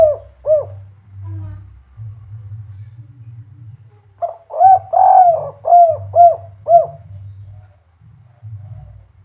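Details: Spotted dove, kuk 3 variety, gives two short arched coos, falls silent, then repeats a phrase of one longer coo followed by four evenly spaced rounded notes, against a persistent low hum.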